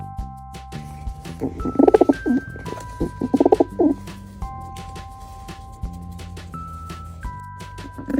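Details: Pigeon cooing: two low, throaty bursts of rolling coos, each lasting under a second, set against steady background music with sustained notes.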